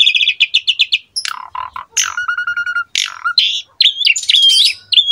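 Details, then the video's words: Asian pied starling singing at full strength as a teaching master: a quick pulsed rattle, then jumbled chatter, clear whistles and squeaky, twisting notes. "MASTERAN BURUNG JALAK SUREN GACOR FULL ISIAN MEWAH MUDAH DITIRU OLEH JALAK SUREN MUDA"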